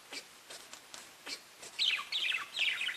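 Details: Parakeets talking to each other: several soft spaced clicks and chirps, followed by busy, bright, warbling chatter that grows louder toward the end.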